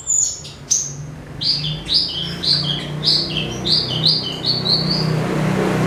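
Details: Javan bush lark song for tutoring other cage birds: a high whistle, then a regular series of paired sharp chirps about twice a second, set against a steady low hum.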